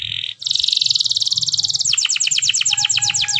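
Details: Canary singing in the morning to prompt others: a very fast high buzzy trill, then a slower series of sharp repeated descending notes, clear and loud throughout.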